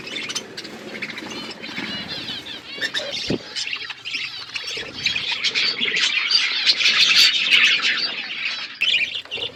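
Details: Budgerigars eating food as a flock in an aviary; busy high chatter of overlapping warbles and squawks that swells louder in the second half, with a sharp knock near three seconds.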